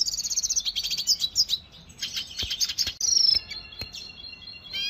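A Red Siskin sings a fast, high twittering song of trills and buzzy notes, with a few sharp clicks in between.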